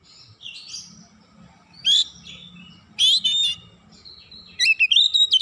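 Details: Kacer, the oriental magpie-robin, singing a pancingan lure: scattered bright whistled phrases with long quiet gaps, ending in a quick burst of rising and falling whistles; low background rumble.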